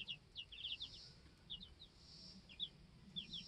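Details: Two-week-old baby chicks in a homestead chicken coop give thin, high, downward-slurred peeps, scattered singly and in quick pairs, with a faint steady hiss behind them.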